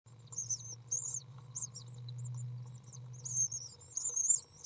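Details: Eight-day-old common swift nestlings in a nest box, June 6th 2012, give thin, high-pitched twittering trills in short bursts as a parent enters, feeds them and cleans the nest, over a steady low electrical hum.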